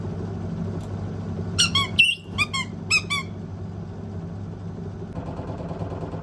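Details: Burst of loud, choppy screeches and squeals from a white-bellied caique busy checking the water in a running washing machine, about eight calls in under two seconds, followed by steady low machine rumble.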